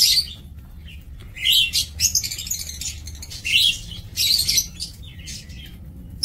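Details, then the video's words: Captive lovebirds in a breeding aviary, recorded 2 October 2024: loud bursts of harsh high chirping come in groups about every second or two, with softer squeaks between and a low background hum. "Aviary Lovebird"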